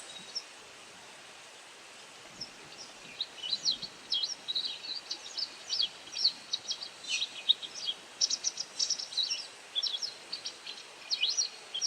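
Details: While feeding on insects, a white wagtail gives call notes: near-silence at first, then an extended run of rapid, sharp high chirps and twitters continuing to the end over soft background hiss.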